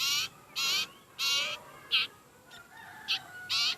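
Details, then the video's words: Begging from a sirpu bird said to be very hungry. Rough, scratchy noise bursts come at irregular intervals, mixed with a few shorter, sharper squeaky notes and quieter calls in between. "Burung sirpu/sirtu lagi lapar berat"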